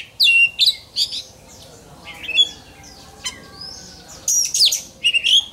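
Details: Oriental magpie-robin in contest-training song: scattered whistled slurs and short squeaky notes with quiet gaps between them, ending with a burst of louder whistles.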